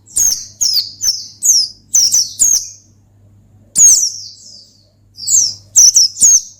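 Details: Rival-provoking ngalas song of an Oriental white-eye: rapid series of bright, high, falling chirps, about eight in the first three seconds, a short silence, then more tumbling thin notes, with a faint background hum.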